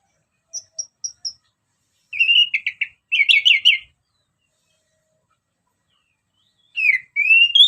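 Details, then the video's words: Orange-headed thrush, song played as a lure: four thin high chips, then rich warbled phrases with buzzy harmonics in two bursts, a pause, and a final rising whistled phrase. "Kicauan Anis Merah Bikin Emosi Dan Gacor"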